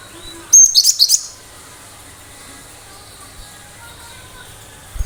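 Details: Gelatik batu, the cinereous tit, delivering a single quick burst of four high, shrill chirped notes, described as a sharp shot that prompts listening birds to answer, followed by near silence.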